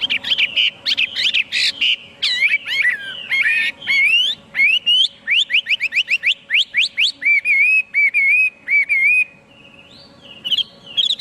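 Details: Chinese hwamei song with rapid rising slurred whistles in fast series, then lower wavering whistled phrases, ending with a quieter pause and a few final notes.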